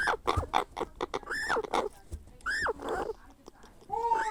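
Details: Grey parrot hatchling begging while being hand-fed: a rapid series of harsh, grating squawks, several rising then falling in arched, harmonic-rich notes, with short clicking sounds between calls.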